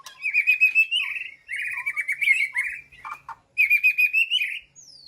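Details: Caged white-rumped shama communicating with its flock inside an aviary, giving three rich warbled phrases of fast rolling trills with short pauses between, plus a few lower chirps and clicks. The background is quiet.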